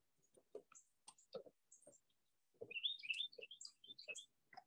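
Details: A very close, boisterous Carolina wren in thickets on June 26, 2021 gives a loud burst of bright, rapid chirping notes, rising and falling over about a second and a half, while a woman talks over it.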